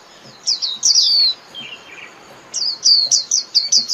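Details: White-eye song calling the flock: a short twittering phrase of high descending notes, a pause with a softer lower note, then a quick repeated string of about seven high whistles.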